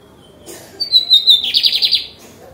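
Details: Caged lined seedeater (bigodinho) singing, recorded 28 June 2022: a high whistled note sliding slightly downward, then a fast burst of about six buzzy repeated notes, with a man speaking faintly nearby.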